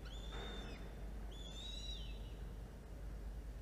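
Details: Falcon on a nest-cam recording during a feeding of two chicks, early afternoon, 13 October 2022; two drawn-out high whistles, the second slightly falling at its end, over a constant low background rumble.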